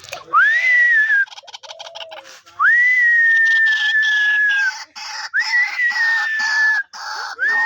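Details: Caged White-breasted Waterhen used as a hunting decoy, calling even while held; three loud drawn-out cries, each rising sharply then holding steady, separated by rapid harsh pulsing bursts.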